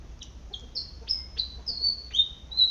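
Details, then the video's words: Malaysian pied fantail calling as it forages in a garden. It gives clear, high, thin whistles, some sliding upward and others held level, in a brisk series of about eight notes over a faint low hum. "เสียงนกอีจู้ หรือ นกอีแพรด ร้องหากินในสวน"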